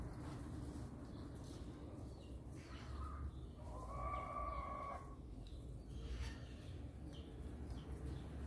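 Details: Maritacas in a guava tree at Pirassununga, São Paulo, 2 October 2023, feeding on the first fruits: a short harsh note, then a longer grating, slightly nasal call about a second long, over steady low wind or traffic rumble.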